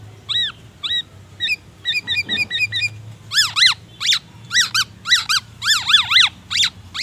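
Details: Black-naped oriole, a kept bird sunning in the morning, singing clear, whistled notes that swoop up and down in quick repeated pairs and arches, with borrowed white-rumped shama phrases, over a faint low hum.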